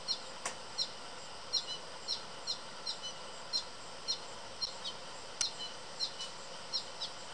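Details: American goldfinch in a backyard tree near a thistle feeder, being fed by another goldfinch, gives short high chirps about twice a second in a steady insistent run, begging for food, over a soft background hiss.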